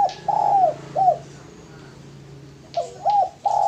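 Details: Male spotted dove kept as a lure bird, giving short mellow coos in two brief bursts separated by a pause, over a steady low hum.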